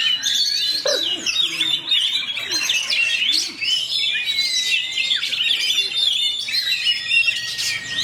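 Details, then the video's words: Rapid rolling song of a fighter-type kacer, the Oriental magpie-robin: a long stream of crowded high chirps, slurred whistles and trills, with a clear descending whistle midway and a few soft low notes underneath. "KACER ROLL SPEED RAPAT"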